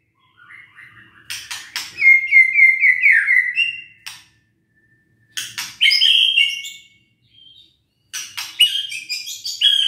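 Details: Song of a White-rumped shama, played to stir sluggish, reluctant birds into singing: varied whistled phrases with descending slurred notes and loud sharp clicks, in bursts separated by short pauses.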